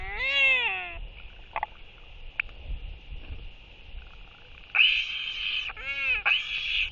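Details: Royal albatross pair in courtship display, one welcoming an incoming banded mate with skycalls, recorded 11 June 2023: loud arched braying harmonic calls at start and end, separated by quieter clacks and rustles.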